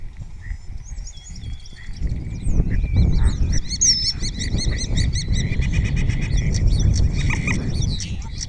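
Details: ['Spotless starling singing close by in Cabañeros National Park, answered by fellow starlings, with imitations of orioles, kites and other birds. A rapid, dense jumble of high twittering and warbled notes builds over low rumble.']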